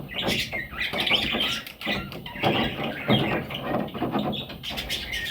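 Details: Young parrot chicks keep up a loud, continuous raspy chatter of overlapping harsh calls with buzzy harmonic notes, scarcely pausing across the recording.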